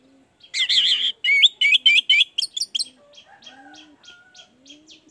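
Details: Orange-headed thrush song used as a lure to prompt a reluctant bird to sing: a burst of rapid, shrill, warbling high phrases for two seconds, then soft scattered chips, with a low cooing dove in the background.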